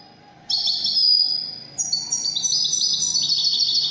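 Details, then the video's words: European goldfinch in the Moroccan wedani style: a sharp, buzzy trill followed by a continuous stream of high, tinkling twitters that rise and fall in quick steps. "الحسون الويداني الملك الذي يستحق استماع وتمتع في ادائه في التغاريد الويدانية المغربية"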